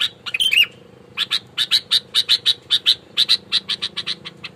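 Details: Sooty-headed bulbul in aggressive, fighting song meant to provoke rivals, with natural surroundings: a quick burst of jumbled notes, then a steady run of short, sharp, high chips repeated about four times a second.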